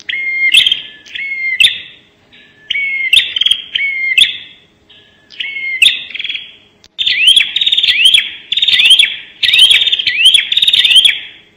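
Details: Bar-winged prinia in rapid-fire 'nembak' calling for luring birds: grouped harsh buzzy phrases with upslurred notes, gaps between bursts, then a denser run of repeated rising rasps in the second half.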